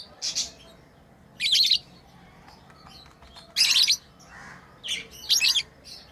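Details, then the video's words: Lovebirds kept as pets, playing; harsh, noisy high chirps come in bursts at about one, three and five seconds, with a short faint note between. "Lovebirds playing & Chirping sounds"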